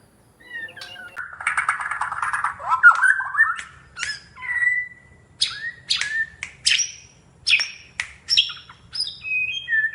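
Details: White-crowned shama from Sabah, Borneo, showing off with action and voice: a long, varied song of buzzy chatter, slurred whistles and sharp rising and falling notes delivered in quick phrases without pause.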